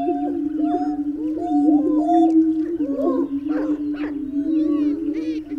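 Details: Low, resonant hooting from greater prairie-chickens rolls over a steady droning tone. Curved moaning notes repeat and overlap, broken by a few sharp, harsh bursts midway and scattered high-pitched chirps.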